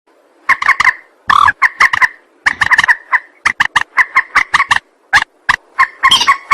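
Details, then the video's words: Rail call used as a trapping lure: loud, harsh clucking notes in fast rapid bursts, each with a nasal double-banded tone, repeated in runs with brief gaps over a quiet background. "Suara pikat burung mandar"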